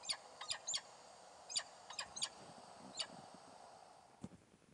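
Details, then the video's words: Peregrine falcon giving harsh, grating notes in short uneven bursts, about eight in three seconds, over a low background rumble and a single knock near the end. "Peregrin Falcon Bird Sounds, Calls"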